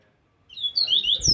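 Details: Double-collared seedeater singing a strong, aggressive Viviti Zel Zel phrase of the Laranjeira style: after silence, a fast burst of high rising and falling whistled slurs ending in a sharp downslurred note, with faint low thumps.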